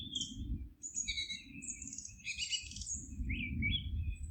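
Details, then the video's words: Mixed high chirps, whistles and a dense twittering burst from forest birds, with continuous low rumbling noise beneath. "Forest relaxing sounds of singing birds"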